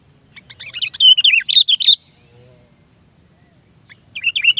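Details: Sooty-headed bulbul calling out to a rival, a recording meant to lure bulbuls in: a loud, rapid run of chattering, liquid notes with wavering whistles lasting over a second, a pause, then another bubbling phrase begins.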